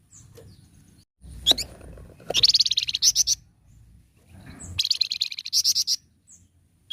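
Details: Flamboyan bird in full song, delivering two bursts of rapid, bright, high chattering notes separated by a pause, over faint low rumble.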